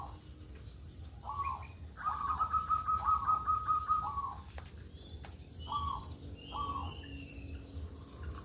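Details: Local zebra dove calling in the morning, used as a lure: a short note, then a long rapid stuttering coo held at one pitch, followed by two brief coos, over low background rumble.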